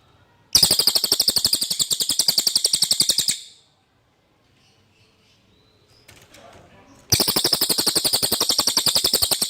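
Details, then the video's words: Common iora song, clear enough to use as a master recording for trained songbirds. A long, rapid, high trill is followed by silence and a soft rustle, then the fast trill starts again. "suara cililin jernih"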